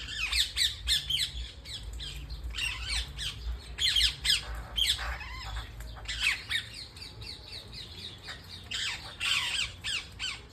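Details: Parrots at home giving harsh, noisy squawks in rapid bursts, broadband and grating, repeated irregularly with short pauses, over a low steady hum.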